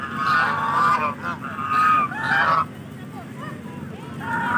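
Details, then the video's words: Indian geese calling: a series of drawn-out nasal honks in the first few seconds, then quieter calls and another honk at the end, with a constant low background hum. "Indian Rajhans | Indian Geese"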